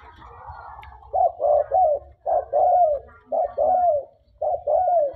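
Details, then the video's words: Tame spotted dove in full song: paired mellow coos, each second note gliding downward, phrases repeated about once a second against faint low rumble. "TEKUKUR GACOR DAN JINAK"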